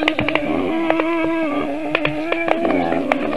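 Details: Black stork chicks at a nest in Sigulda municipality, Latvia, 4:51 PM on 1 August 2021, defending themselves after a goshawk landed on the nest tree and the parent fled without feeding: steady, nasal, droning calls with sharp clicks and knocks.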